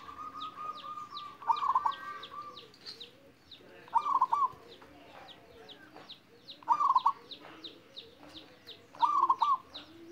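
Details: A young local wild-type zebra dove learning to sing gives soft, rolling cooing trills about every two and a half seconds, while small birds chirp high and busily in the background.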